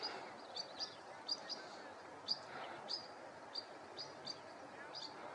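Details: Whinchat (Saxicola rubetra) giving short, sharp high ticks, a dozen in five seconds at an uneven pace, over a steady outdoor hiss.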